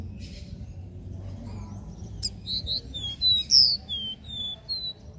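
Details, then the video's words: Capped seedeater singing a three-note regional song, used to stimulate other caged birds to sing; sharp whistled notes near the top of the range, short slurred tones repeated in a quick series, low background hum. "CANTO DO CABOCLINHO DÓ RÉ MI 3 NOTAS REGIONAL"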